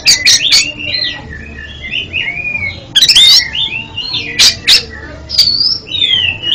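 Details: Oriental magpie-robin, song aimed at curing a stuttering kept bird, delivers varied looping whistled phrases rising and falling, broken by loud sharp broadband chips at intervals.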